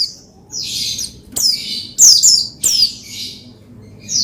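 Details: Oriental white-eye (pleci) singing to stimulate another pleci: harsh buzzy squeaks and a few bright, very high descending chirps in short bursts.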